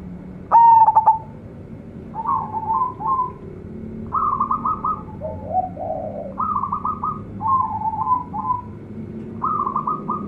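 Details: Local zebra dove, an active singer with a big, luxurious voice: one loud stuttered coo at the start, then a long run of softer rolling, pulsed trills and warbled coos at steady intervals.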